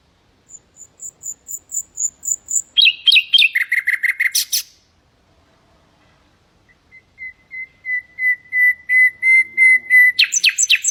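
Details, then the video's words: Common nightingale song in the Hasaniya style, played to teach goldfinches and canaries: a row of thin high piping notes swelling louder, a burst of rich chattering trills, a pause, then a long even series of lower repeated notes ending in a sharp flourish. "ساعة من تغريد طائر العندليب الحسنية لتعليم طيور الحسون والكناري بدون أخطاء"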